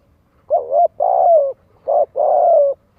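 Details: Spotted dove lure coo, played to stimulate young birds to practise cooing: four low, mellow hooting notes in quick succession, with the second and last notes drawn out and gently falling, over a quiet background.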